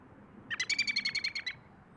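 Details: American robin gives a quick run of about ten clear, high, slightly slurred notes packed into one second, quiet background; recorded in Michigan among birds and squirrels eating.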